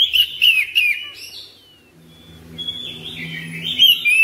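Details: A home-kept Oriental magpie-robin sings ngropel-style. Quick bright whistled notes come first, then a quieter pause with a low droning hum, then a rising, warbling phrase of whistles.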